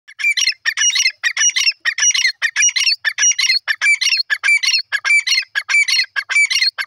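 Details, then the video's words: Francolin pair calling: harsh, scratchy multi-part phrases repeated rapidly and steadily, each a cluster of clipped grating notes, with no pause across the whole stretch. "new jori teeter bird teetar voice"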